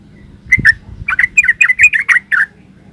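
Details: Bright, bubbly bulbul song, yellow-vented, in 'ropel uplik' style: about a dozen quick slurred whistled notes run together in a rhythmic string, with a brief low thump near the start.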